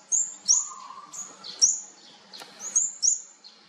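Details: Olive-backed sunbird chicks of a fourth brood being fed: thin, high, sharp chirps repeated roughly once a second, with brief lower tones between.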